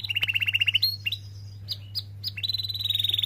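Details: Canary song used as a lure to prompt reluctant or young canaries to sing: fast rolled trills of bright, high notes, broken by a few sharp upslurred chips, then a rapid even trill, over a steady low hum.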